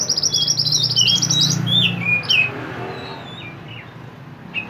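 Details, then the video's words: Actively singing mantenan bird of the mountains, recorded as a tutor for songbirds: a fast high rattling trill mixed with descending whistled notes, then softer scattered whistles, over a low rumbling hum. "mantenan gacor burung masteran / chirping sound bird"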